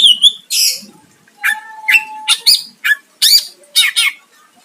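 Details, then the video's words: Greater green leafbird singing to provoke a rival into answering: loud bursts of sharp chattering notes, with one long steady low whistle and rapid scratchy phrases between short pauses. "Cucak ijo gacor mancing lawan dijamin Nyahut"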